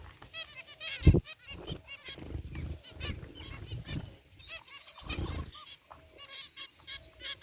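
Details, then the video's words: Zebra finches in a cage aviary, including a white one, chirping with soft nasal notes over a good deal of low rumbling and knocking noise. "Cute Zebra Finches in Aviary | Relaxing Bird Chirping Sounds"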